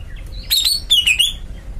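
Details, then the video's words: Greater green leafbird, a kept songbird, giving a brief burst of bright, sweeping whistled notes around the middle, sliding down and up, over a low background hum. "Cucak ijo melet"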